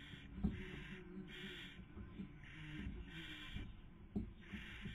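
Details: Nest-box barn owls, Cabañeros National Park, Castilla-La Mancha, Spain, breeding season 2020, with the female feeding and the male attempting sleep; breathy hissing bursts come about every second between soft knocks and shuffling.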